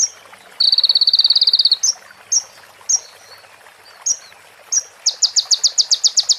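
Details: ['Sunbird training recording with prinia-style phrases: a dense buzzy burst, several spaced high chips, then an accelerating series of sharp ticks.']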